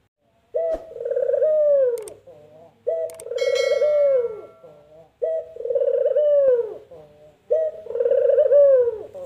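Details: Puter dove repeating its "empuk jeruu" call four times, about every two and a half seconds: each a clipped opening note and a long rolling descending coo with a soft tail. Brief clicks and a sharp metallic sound interrupt near the start.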